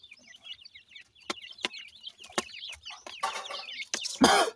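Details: Feeding Dakhni teetar chicks, the black francolin of Pakistan, raised in captivity: a run of thin, wavering peeps, steady at first, broken by crisp taps, then a harsh scraping rustle and a loud knock near the end.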